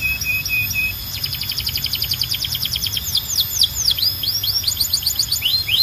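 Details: Canary singing a varied song: a few short level whistles, then a rapid rattling trill that slows into deep, swooping whistled notes. The song ends with quick upward flicks, over a constant high tone and low hum.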